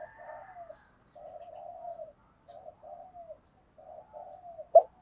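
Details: Spotted dove cooing in the local thổ voice style, used as a lure: soft low hoarse coos in short phrases with falling ends, separated by pauses, ending with a sharp click.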